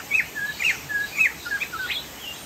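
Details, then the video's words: Singing Chinese hwamei, known locally as poksay jambul sumatra: a few loud, clear whistles, some rising and some flat, spaced out over two and a half seconds. "POKSAY JAMBUL GACOR"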